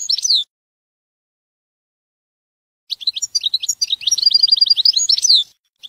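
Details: European goldfinch song from a training recording of the Jordanian song style, described as free of errors: a brief high twitter, a pause, then a fast run of bright, buzzy, tinkling notes for about three seconds.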